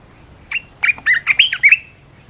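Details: Red-whiskered bulbul used as a training call for keepers' birds, giving one quick phrase of about six clear, warbling whistles that jump up and down in pitch. The background is quiet.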